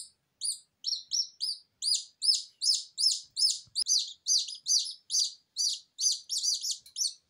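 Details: Just-hatched Silkie Serama chicks crying indoors after leaving the incubator, with no mother hen to comfort them: a rapid, insistent stream of shrill, falling peeps, overlapping toward the end as several chicks call together.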